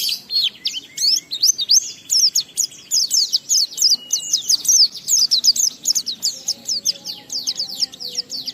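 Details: Oriental white-eye singing a lively ngalas-style song with riwikan phrases mixed in, meant to stir other white-eyes to sing: a dense, nonstop stream of high, sharp, twittering notes with rapid rising and falling slurs, a faint low hum beneath.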